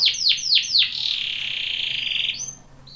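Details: Canary of the Belgian type singing for training: four quick, sharply falling swooping notes, then a smooth, fast, even trill that fades, ending with a short high note.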